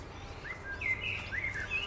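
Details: Eurasian coot (Fulica atra) family with seven chicks in Beverwijk, Netherlands: thin, high peeping notes, some rising, about five in two seconds, over a low background rumble.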